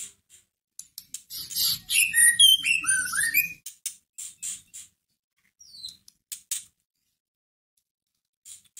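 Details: White-rumped shama lure to stir a caged shama into song: a single dense phrase of scratchy chatter and falling whistled slurs, followed by scattered sharp ticks and one short high note over near-silence.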